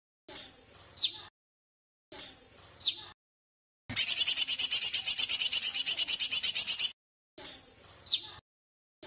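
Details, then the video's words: Sooty-headed bulbul master training song with pauses: short, bright whistled phrases about every two seconds, broken by a three-second burst of rapid, evenly pulsed chattering notes. "Cucak Cungkok Masteran Variasi dengan Jeda"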